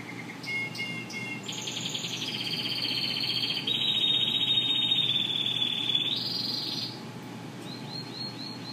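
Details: Yellow Spanish Timbrado canaries singing: a chain of high metallic rolled trills that step between pitches, holding one long pulsing roll for several seconds before a brief higher phrase and short chirps at the end.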